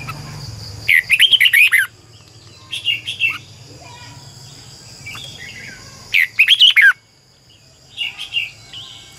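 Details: Decoy red-whiskered bulbul singing in the morning to prompt other birds to sing. Two loud bursts of rapid, warbling, rolling phrases. Shorter, softer chirped phrases follow each burst.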